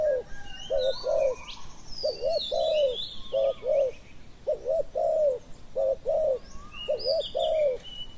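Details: Spotted dove used in Thailand to lure wild doves, repeating low soft coo phrases of quick paired notes ending in a longer coo, about five phrases in eight seconds, with high descending whistles and chirps from other birds overhead.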